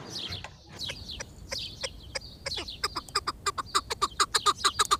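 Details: Chukar partridge giving quick clucking notes that start softly among higher chirps and a faint hiss, then settle into a regular, faster series of sharp chuck calls.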